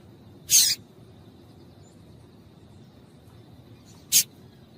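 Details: Female yellow-bellied seedeater (papa-capim) calling to stimulate males to sing: two short, sharp, broadband chips about three and a half seconds apart over a steady low background hiss.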